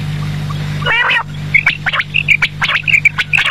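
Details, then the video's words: Evening quail calls: after a harsh burst, short bright notes come in small repeated groups about twice a second, with sharp clicks between them and a low hum at the start. "batair ki awaz sham k lia"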